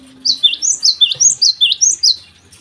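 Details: Java sparrow singing in the morning, a brisk sequence of about ten high, sliding chirps at an even pace of around four per second, with a brief low knock midway.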